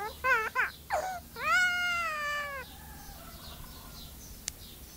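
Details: A myna that was always kept with a little baby boy gives a few quick wavering cries, then a long drawn wail that slides down, strikingly like a human baby crying.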